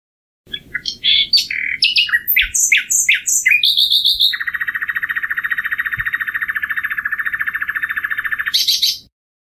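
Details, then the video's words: Common nightingale song, a migratory insectivorous bird of Europe and Asia that sings day and night near cities. Rapid varied chirps and whistles open the phrase, then a long, even, buzzy trill of fast repeated notes runs about four seconds before a sharp high ending. "Canto del ruiseñor común"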